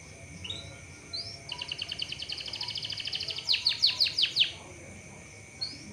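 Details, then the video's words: Canary song used as a lure to prompt other canaries to sing often and roll: an even, rapid trill of repeated high notes, then a handful of louder, sharply descending strokes, with faint background hiss. "CUIT CUIT PANCINGAN BURUNG KENARI AGAR CEPAT GACOR DAN NGEROL"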